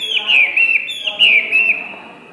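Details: Rich whistled song of a tame, one-season Hwamei: bright warbling slurs rising and falling in quick succession, with ringing high overtones, fading softly toward the end.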